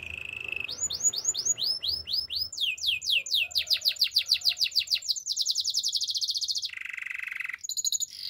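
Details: Canary singing a fast varied song: rapid high rising trills and repeated sweeping notes, then a lower buzzy rolling stretch and a bright trill to finish, nearly continuous for eight seconds in a quiet setting.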